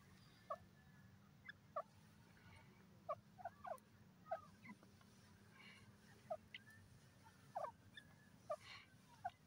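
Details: Francolin known locally as desi or dakhni teetar calling in brief sharp notes, single or in quick pairs, repeated unevenly every second or so against a constant low droning hum.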